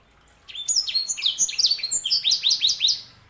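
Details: Continuous chirping song of a sanger canary hybrid: a steady string of quick, high, descending whistled notes that speed into an even rhythmic series.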